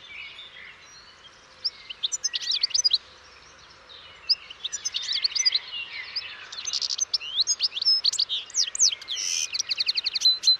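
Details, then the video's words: Long, continuous European goldfinch song of rapid, jangling twitters, chirps and short trills, building into a dense, fast chatter with a buzzy rattle near the end. "O canto do PINTASSILGO/GOLDFINCH SONG"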